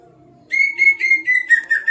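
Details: Greater green leafbird in lively song: after a brief quiet start, a rapid run of bright whistled notes slurring gradually downward, delivered in fast pulses over about a second and a half.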